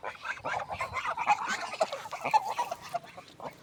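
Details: Swan in a village setting giving rapid, harsh nasal honks that overlap densely, as if several birds call together, with mixed higher chatter.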